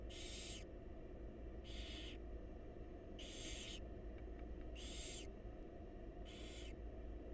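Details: Begging wild barn owl babies in a research-monitored nest box during feeding by their mother: five loud breathy hissing screeches, each around half a second, repeated about every one and a half seconds, with constant low hum beneath.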